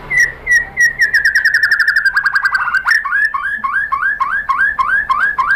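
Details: Murai batu, the white-rumped shama, singing a lure song meant to provoke rival shamas: a long series of rapid even whistled notes speeding into a trill, then repeated looping upslurred whistles.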